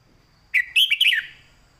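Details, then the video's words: Red-whiskered bulbul, caged, singing its southern-style teaching song: one crisp phrase of three or four loud, bubbling, down-slurred notes, with a thin steady tone in the background. "ครูเพลงแม่บท"ร้องชัด สำนวนใต้แม่บท นกเสียงทอง"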